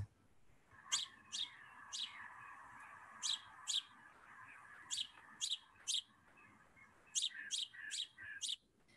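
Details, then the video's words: Sparrows, house sparrow or Eurasian tree sparrow, in a flock chirping to each other in the morning near houses; short sharp chirps come singly and in clusters of two to four, with a soft murmur of other birds behind. "men de har en liten sånn tjuping, som vi kaller det, liksom kvittring, som høres sånn her ut."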